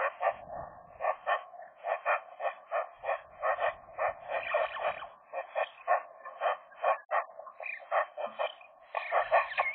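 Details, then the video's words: Young Eurasian magpie pair flirting inside their nest in January, winter, the female recently new to the territory; a steady series of short, harsh chattering notes, roughly two per second, continuing throughout with slight variation in tone. "magpies, short flirt inside the nest in January"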